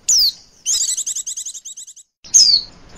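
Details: Female Oriental white-eye lure call: a sharp, falling whistled note, then a rapid series of high chirring pulses that slows and fades, followed by another falling whistle.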